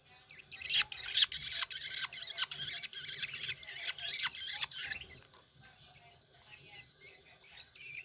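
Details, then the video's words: Long-tailed shrike chicks from Banyuwangi jostling for food while being fed, giving a rapid burst of harsh, hissing, high squeals repeated about twice a second, then fading to quieter scratchy notes. "Serunya meloloh anakan burung cendet BWI saling berebut makan."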